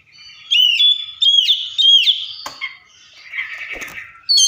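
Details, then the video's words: Oriental magpie-robin singing and imitating other birds: three loud, clear whistled phrases with slurred notes, then a soft buzzy chatter and a final bright whistle. "COPSYCHUS SAULARIS SOUNDS LIKE THE WILD MAKES OTHER BIRDS SOUND!"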